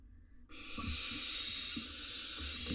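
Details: Barn owl at a nest box on a live nest camera in Israel during the breeding season, as the male arrives carrying a rodent for his nestling. After half a second of quiet, a harsh, breathy hiss starts and holds steady to the end.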